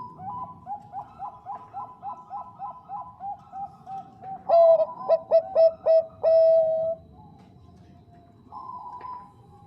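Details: Bangkok zebra dove, female calling to a male: a gentle steady series of soft coos, then a loud stuttering phrase of clipped notes closing with a long even coo; distant doves answer faintly.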